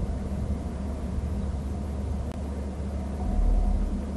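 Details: Low, continuous engine rumble from a vehicle, swelling slightly near the end, with no animal calls.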